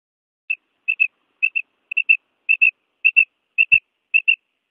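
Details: Quail, a male and three kinds of female calls: paired short whistled notes repeated about twice a second, clean and evenly spaced, with no other sounds.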